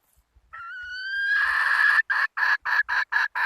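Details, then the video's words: Domestic hen calling: a long, clear, slightly rising tonal note, then a fast run of loud, harsh, pulsed notes at about four per second with short gaps between them. "Tiếng gà mái ,poj qaib seev zoo heev - puj qaib seev zoo cuab tuaj zoo heev"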